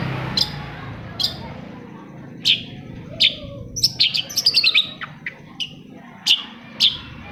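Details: Long-tailed shrike song to coax other shrikes into singing: spaced sharp chirps, then a fast cluster of tumbling whistled notes in the middle, returning to single chirps, over background hiss.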